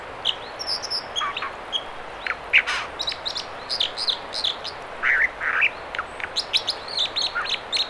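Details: American dipper singing at the Mamquam River spawning channels near Squamish, British Columbia: a burst-by-burst series of harsh, buzzy notes and high thin chips, repeated several times a second, over steady background noise.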